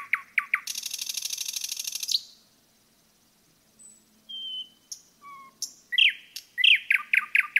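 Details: Forest nightingale with a rich song: clipped notes leading into a rapid buzzing rattle, silence, soft drawn whistles, then a lively run of loud repeated chopping phrases.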